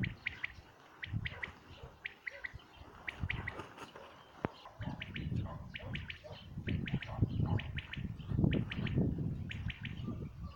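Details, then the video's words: Common quail singing, 2019: rapid three-part phrases repeated steadily through the recording over heavy low-pitched rumble and background noise. "Quail song"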